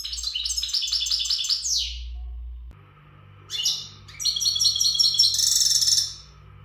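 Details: Untutored Gharb goldfinch in readiness song: fast tinkling trills ending in a falling buzz, a pause, then a longer rich twittering passage of high, jangling notes over a steady electrical hum.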